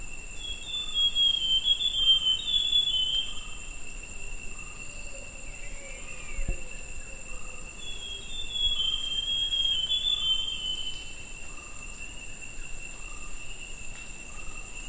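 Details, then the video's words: On 20 August a forest scrub robin gives two separate high, warbling whistled phrases several seconds apart. Between them a soft lower note repeats about once a second, all over a persistent buzzing insect background. "Rouxinol da Floresta - Ouça seu lindo e misterioso canto"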